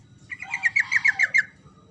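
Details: Rolling song of a yellow-vented bulbul, used to make silent birds reply noisily. One rapid run of about eight bright, bubbling notes over a low background hum.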